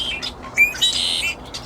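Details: At the Piper Spit dock on Burnaby Lake, where blackbirds swoop down to eat from hands among noisy ducks, a blackbird gives a few short, high, beeping chirps, one sharp and tonal, then a brief harsher burst.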